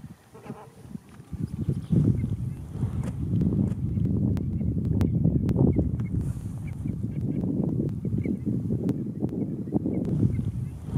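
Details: Andean flamingos in the Atacama Desert giving a dense, continuous low chatter of overlapping honks and grunts, rising in volume after the first two seconds and holding steady, with a few faint higher notes above.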